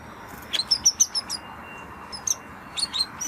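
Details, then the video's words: Short, very high chirps from a Spanish Timbrado canary, given in small clusters of quick, slightly slurred notes with brief gaps, over a steady low background hiss. "Canary Sound Effect - Canary Singing Video"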